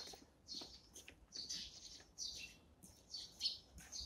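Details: Eurasian tree sparrows at their morning feed give quick, high, bright chirps in tight clusters roughly every half second, several birds overlapping in a busy chatter.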